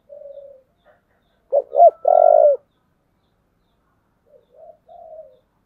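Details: Spotted dove, 'giọng thổ' voice, calling to provoke fighting: a soft opening coo, then two sharp hooked notes and a loud, long, level coo, ending with quiet, gently falling murmured coos.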